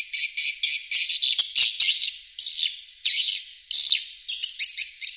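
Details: Swiftlet calling sound used to attract swiftlets: high, buzzy chirping phrases with a few downward-sliding notes, coming in uneven bursts roughly every half second with brief pauses between groups.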